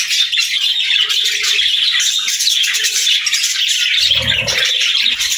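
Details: Budgerigars singing: a dense, unbroken chatter of scratchy warbles and quick chirps from several birds at once, with brief low murmurs underneath.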